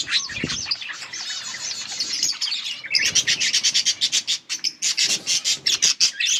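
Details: Yellow budgies warble in a smooth stream, then switch to rapid rhythmic chirps and clicks repeated about three times per second, with soft rustling below.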